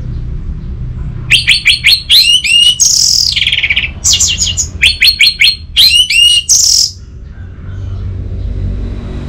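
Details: Orange-headed thrush song used as a lure to get a silent kept bird singing: bursts of rapid, sharply repeated high notes and slurred whistles, two dense phrases split by short pauses, with low background rumble.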